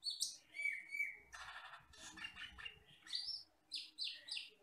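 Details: Common hill myna from forest habitat, jet black with red eyes, in a recording used to train other birds. Sharp whistled notes and a level whistle, a harsh rasping burst, then upslurred squeals and high chirps.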